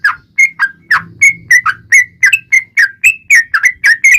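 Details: Rapid 'ropel' song of a yellow-vented bulbul, played as a lure to provoke other bulbuls into singing: clear slurred whistled notes repeated about three times a second, alternating slightly higher and lower, with faint low hum beneath.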